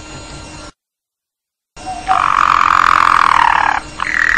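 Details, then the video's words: A canary song used for luring and tutoring other birds: a sustained, low, steady rolling trill held for over a second, then a brief higher phrase, with a short silent gap earlier. "Suara Kicau Burung KENARI Untuk Pancingan Dan Masteran"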